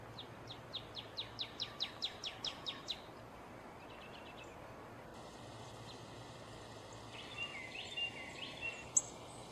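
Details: Female Northern cardinal singing: a quick series of about ten clear, slurred, downward notes repeated over three seconds, followed by fainter scattered chips and a steady high tone in the background.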